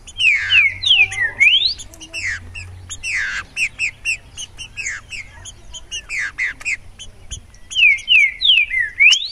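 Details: Green-winged saltator (trinca-ferro), a loose bird, singing loud, rich phrases of sweeping whistled notes rising and falling between mid and high pitch, repeated in bursts with brief pauses, with a faint low hum underneath.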